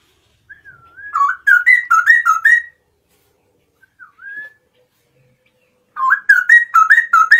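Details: Kept Straw-headed bulbul singing vigorously in the morning, two bursts of loud, liquid, bubbling whistles in rapid rising-and-falling notes, separated by a soft lone whistle.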